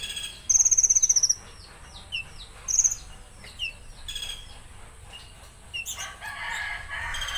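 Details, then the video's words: Konin singing a rough-shot song style, a high buzzy trill followed by scattered short whistled notes and falling chirps, with a burst of harsher rasping notes near the end. "Tembakan Kasar Konin"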